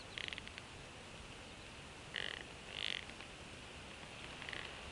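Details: Bald eagle at a nest in Northeast Florida, sharing fish with two eaglets hatched in December 2015: short, high chittering bursts come at the start and again twice midway, over a constant background hiss.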